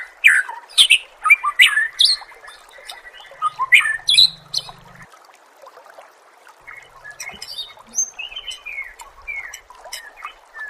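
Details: Training song of a murai for other songbirds: a burst of loud, sharply rising notes at first, then a quieter stretch of scattered chirps and soft warbles.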